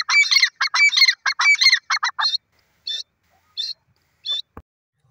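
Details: Grey francolin calling in a forest: a quick series of loud, harsh, rhythmic notes about two seconds long, followed by a few spaced, fainter single notes trailing off.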